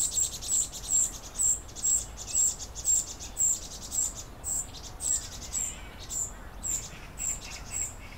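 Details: Common cuckoo fledgling fed by vinous-throated parrotbill foster parents; piercing high hissed notes repeated evenly about twice a second, becoming slightly softer toward the end, with a quiet background.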